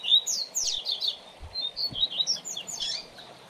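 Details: Song of a double-collared seedeater, used to teach a young bird, with high twittering slurs and short whistled notes. Two soft low thumps can be heard in the middle.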